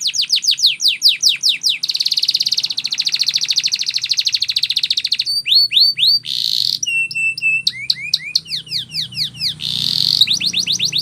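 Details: Canary training song: fast rattling trills of steeply falling high notes, then a long buzzy rolled tour, separate swooping whistled slurs, a brief harsh buzz and more rapid descending trills, all very high and loud.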